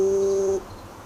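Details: An Australian Plains-wanderer, a critically endangered, nomadic, ground-dwelling bird, gives a single low, steady, hollow 'oom' note of about half a second: a pure humming tone with faint overtones. It usually calls around dawn and dusk.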